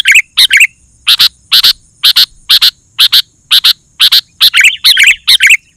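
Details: Chattering sooty-headed bulbul song intended to make other bulbuls respond: steady stream of harsh double chips, about two a second, ending in tangled warbled notes.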